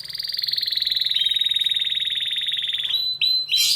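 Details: {'text': 'Canary in an excited state pours out a steady high pulsing trill for nearly three seconds, followed by a few sharp rising whistled notes.'}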